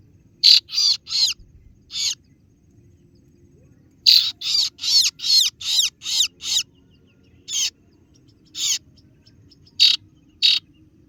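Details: Calling kaso-kaso bird (singo barong) summoning rivals with 'ciet ciet' notes: a trio of rasping bursts, a single one, then a run of about eight harsh notes, followed by scattered single rasps.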